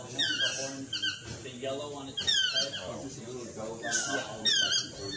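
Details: Swainson's toucan, or chestnut-mandibled toucan, calling repeatedly with harsh, downward-sliding yelps in short bursts, roughly every second or two, over a low rumble of background noise.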